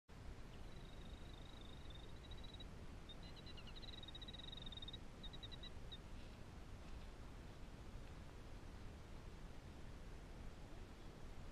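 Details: Killdeer (Charadrius vociferus) at a nest in northern Michigan on a morning when three chicks hatched give thin, high, rapid trilled peeps for about five seconds, then fall quiet, over a steady low rumble of wind.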